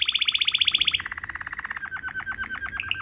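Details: Rolling Waterslager canary song for tutoring, dropping step by step through rapid trills, from a high fast roll to lower, slower rolled notes.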